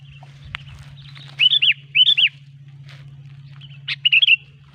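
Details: Clear sooty-headed bulbul lure song for trapping bulbuls: pairs of rich, arched whistled notes repeated, then a final quick three-note phrase, with a few clicks and a steady low hum.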